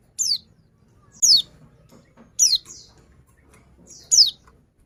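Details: Female white-eye call for luring quiet males: four crisp, high-pitched downward-sweeping chirps, each followed by a fainter echoing trill, repeated roughly every second.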